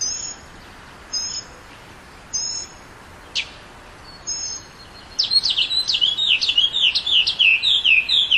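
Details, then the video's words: Northern mockingbird song: several short high whistled phrases spaced about a second apart, a sharp downward note, then a rapid run of repeated falling high chirps over the last three seconds. "Mockingbirds 1"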